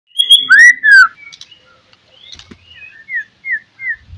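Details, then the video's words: White-rumped shama singing an insistent lure song meant to provoke rivals: a loud, rich, upslurred whistle and a falling whistle, then softer notes and three short rising-falling whistles spaced about a third of a second apart. "SUARA BURUNG MURAI BATU, PANCINGAN MURAI BATU PASTOL NGOTOT MEMBANGKITKAN EMOSI LAWAN"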